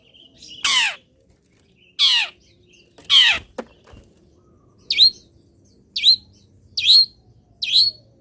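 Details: Long-tailed shrike kept in a cage, sprayed with water and then placed in the morning sun. It gives three rasping descending squawks, then four short sharp upward-flicked chips about a second apart.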